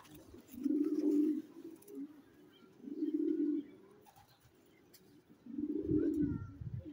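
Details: Checker racing pigeon producing three long, deep, rolling coos spaced roughly every two and a half seconds, each swelling and fading, over a quiet background.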